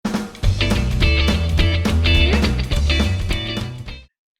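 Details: Rock music with drum kit, bass and guitar playing loudly for about four seconds, then stopping abruptly into silence; no animal sounds present.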